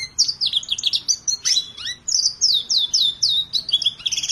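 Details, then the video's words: Colour-bred canary from a collection singing bright, rapid phrases of downward-slurred whistled notes repeated several times a second, with a sharp upward sweep near the middle and steady high trills. "KENARI WARNA ISTIMEWAH"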